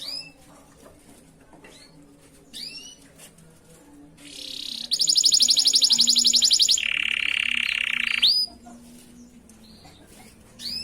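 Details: Canary giving a master song for tutoring: sparse faint rising chirps, then a loud buzzy rapid trill, shifting into a lower dense rolling tour, before quiet scattered chirps return.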